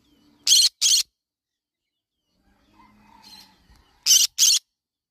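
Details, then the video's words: Yellow-sided conure parrot with two quick harsh screeches in a pair, a soft murmur of chatter, then another rasping double screech. "Yellow sided conure parrot bird sound."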